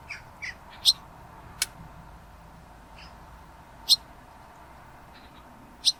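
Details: A young Barn Swallow perched on a gate railing at Elmley, Isle of Sheppey, Kent, UK, on 28 August 2025 gives short, high chirps at irregular intervals, about six in as many seconds, over a low steady hum and faint wind.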